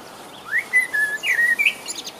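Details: A male common blackbird singing on 5 June 2015 in Rombergpark botanical garden, Dortmund: a short, mellow phrase of fluting whistles, sliding and warbling, closing with a thin, squeaky twitter.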